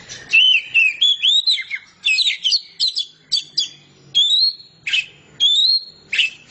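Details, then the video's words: Oriental magpie-robin singing in the open, flowing ngeplong style: clear whistled phrases, some rising and some falling, with short buzzy notes, given in quick bursts separated by brief pauses. "kacer ngeplongnya kayak gini"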